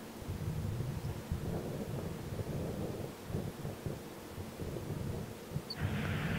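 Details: Steady low rumbling and broad wind-like noise with no animal voice heard.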